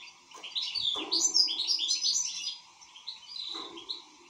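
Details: European goldfinch delivering a fast, rippling twitter of bright, liquid notes, loudest at the start, then softer scattered chirps, with a few soft knocks and a faint background hum.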